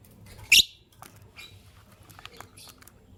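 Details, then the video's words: Green personata lovebird and albino lovebird in the morning: one loud, sharp, high chirp burst early on, then scattered faint ticks and soft rustles, and another brief piercing note at the very end. "The melodious chirping sound of Green Lovebird Personata & Albino Lovebird"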